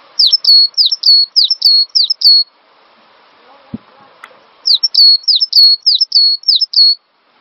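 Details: Cinereous tit, master recording used to train songbirds: two phrases of about six sharp, high downslurred whistles each, separated by a quiet gap holding a single soft click.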